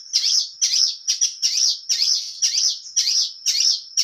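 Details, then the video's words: Long-tailed shrike from Indonesia singing vigorously with a full repertoire of material and a clear voice: high, scratchy, chattering phrases, about two per second, over a steady thin high tone, with no other sounds. "cendet gacor full materi suara jernih"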